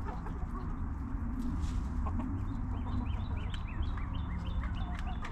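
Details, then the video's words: Backyard hens relaxing in their coop, giving soft, short clucks scattered through the clip, some with quick rising and falling notes, over a steady low rumble of background noise. "Hens Clucking!"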